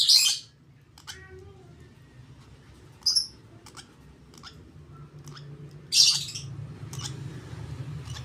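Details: Hand-fed 32-day-old lovebird chick begging during feeding: short, harsh, high-pitched bursts about every three seconds, with faint clicks between them over a low background hum.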